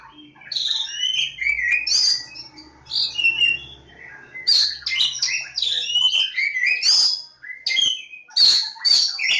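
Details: Song of a Javan Oriental magpie-robin (kacer Jawa) at Lebakgowah: a long, energetic run of mixed whistles, trills and harsh chattering notes, growing denser and louder toward the end, over a soft low hum.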